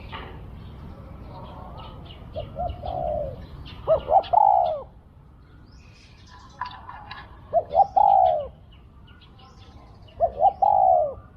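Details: Spotted dove used as a decoy bird in a hunt, giving three low cooing phrases, each two short notes then a longer falling croon, spaced a few seconds apart, with faint chirps of other birds in the background.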